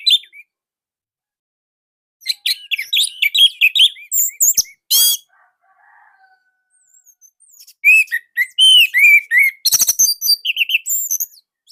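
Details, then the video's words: Loud, tight song of an orange-headed thrush in Indonesia, kept as master song for other birds. Bursts of fast jumbled whistles and harsh clicks, a near-silent gap, then another rapid run of slurred, ringing notes. "KICAUMANIA Anis Merah Indonesia //Masteran Paling Enak"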